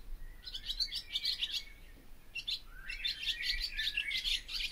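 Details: Barn swallow song with two chattering phrases of squeaky twittering notes separated by a short pause.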